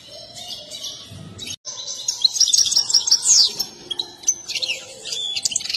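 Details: Excited European goldfinch singing while dancing, a style favoured by breeders; after a quiet start, bright twittering high notes with quick buzzy trills and sharp chirps run in dense overlapping bursts.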